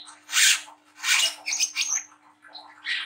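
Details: Young speckled Brown-throated sunbird giving harsh, rasping chatter bursts, three loud scratchy outbursts separated by brief pauses, with a thin whistled note between them and a faint constant hum.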